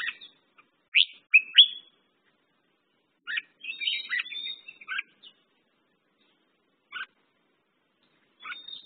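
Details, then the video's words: Red-whiskered bulbul, called merbah jambul locally, giving short bursts of bright whistled and chirpy notes with quick rising and falling slurs, grouped in phrases around one and four to five seconds, with brief gaps between; otherwise quiet background. "red whiskered bulbul/ merbah jambul"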